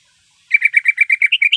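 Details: Calling the male while in heat, a female greater green leafbird gives a brisk series of about twelve bright chirps at a steady pitch, starting after a short silence.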